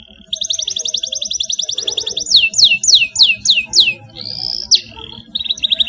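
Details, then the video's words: Canary youngster learning its song from a played model: a rapid high rolling trill, followed by loud downward-swooping whistles, then a brief flat tone and renewed trilling near the end. "Kenari gacor paud belajar bunyi langsung NYAUT dan ngeroll di pancing kenari cengkok mewah"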